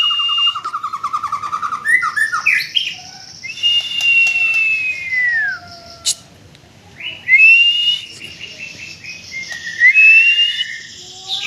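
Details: Medan F3-class white-rumped shama in rich varied song: fast repeated notes, sweeping downslurred whistles, bright trills and rising phrases, with short pauses between bursts.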